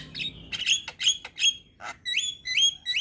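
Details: Young Javan myna (jalak kebo) in vigorous song: repeated bright whistled upslurs and sharp squeaky notes, one lower nasal squawk, a quick chattering rhythm roughly every third of a second.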